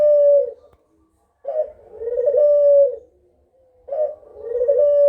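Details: Kugeruk used as a lure to prompt other birds to answer, giving low, mellow coos in three drawn-out phrases, each swelling and then fading, with short silent pauses between them and no other sounds.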